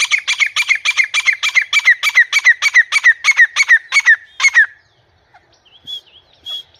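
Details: Grey francolin in a house giving a rapid, insistent run of sharp, ringing notes, about three per second for over four seconds, then stopping. Two thin whistles from another bird follow.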